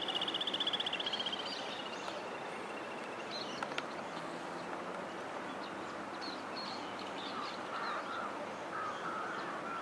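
Common moorhen: a quick rattling run of high, clicking notes that fades in about a second, then faint harsh calls against a steady rushing background.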